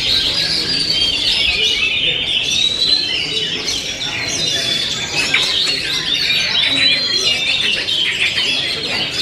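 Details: Oriental magpie-robin (kacer) pouring out a long, unbroken high song of bright whistles, chattering chips and slurred notes that rise and fall, becoming more intense midway, with constant background hiss.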